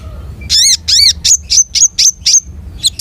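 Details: Long-tailed shrike singing a lively, varied phrase: two loud arched harmonic whistles followed by a rapid series of sharp, high chirps with upslurred tips, each note clearly separated, over faint low background hum.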